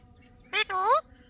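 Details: Talking Alexandrine parakeet saying "Mithu" once: a short clipped syllable followed by a longer, rising, nasal-toned syllable, with low steady background noise.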